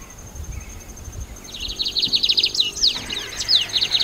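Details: Lined seedeater singing a fast run of high, buzzy, clipped notes that starts after a quiet second and a half and continues in rapid chattering phrases over a faint constant high-pitched whine.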